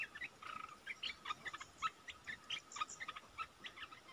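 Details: Red-eyed bulbul lure calls from 15 January 2022, used to draw wild birds: short gurgling chirps repeated several times a second, some brighter accented notes among them.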